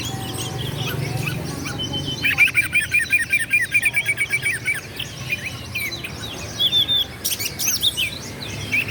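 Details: Lively Oriental magpie-robin, known locally as kacer, singing to goad rivals into agitated replies; a steady, rapid trill of repeated chips lasts about three seconds, followed by scattered whistled phrases and buzzy notes over faint background hum.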